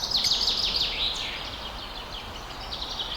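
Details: Blue opaline lovebirds kept as pets in Pakistan, quick zigzag chirps repeated about three times a second, bright and high, fading into softer chatter over a steady background hiss.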